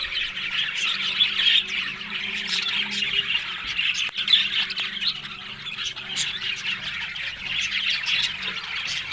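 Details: Morning flock of Australian budgerigars eating green food, Larkana, Sindh: constant high, scratchy chirps and squawks from many birds, with a faint low hum underneath.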